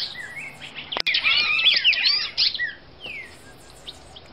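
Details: Female red-crested cardinal, Brazil: a short, dense burst of high, tangled chirps and whistles after a sharp click, then a single down-slurred note and quiet.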